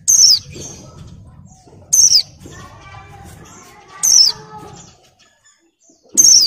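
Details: Breeding female Oriental white-eye, still in moult, calling males: sharp high down-slurred whistles repeated roughly every two seconds, with soft background chatter and faint lower twittering between the notes.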